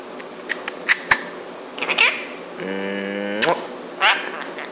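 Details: Two-year-old Indian ringneck parrot indoors making silly sounds: scattered clicks, short squeaky syllables, then a steady buzzy nasal tone held almost a second, ending in a sharp squeak, with a person talking nearby.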